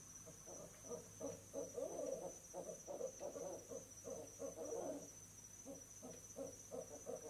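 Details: Barred owl pair, mates hooting together while visiting an owl box on an evening at 6 pm, 11 November 2008, claiming the nest spot: dense, rapid, overlapping mid-pitched hoots and cackles, uneven rhythm, with a steady thin high whine behind.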